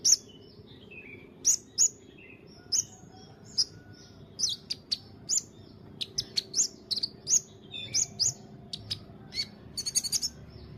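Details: White-rumped shama master recording for training songbirds: sharp, high whistled notes and short chirps in quick, varied phrases, with brief rapid trills near the end. The background is quiet apart from a low hum.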